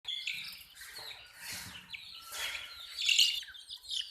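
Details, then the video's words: Baby chicks of a hen chirping: high, thin peeps and short rising and falling notes, irregular and overlapping, with a few louder sharp cheeps near the end. "MURGI Hen Baby "CHICKS CHIRPING" Sound"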